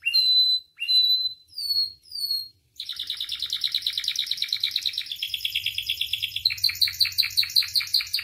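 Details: Canary song meant to teach and provoke canaries to sing: four loud descending whistled sweeps, then a long string of fast rattling rolls that change pitch and tone several times.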